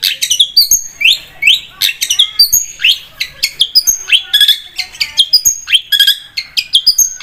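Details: Long-tailed shrike in continuous vigorous song on a lure track: a rich jumble of sweet upslurred whistles, sharp chips, high thin tones and short trills, varied and nearly nonstop.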